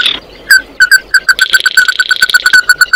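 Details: Oriental white-eye calling to its flock, a rapid run of about fifteen clear ringing notes speeding up, with buzzy chatter layered over the middle part.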